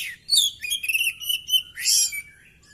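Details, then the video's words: Oriental magpie-robin in a fighting display with tail spread, delivering a rich, varied run of whistled and warbled phrases, sliding notes joined by scratchy bursts, ending in one loud harsh flourish. "Burung kacer gacor!!kacer tarung buka ekor bongkar materi"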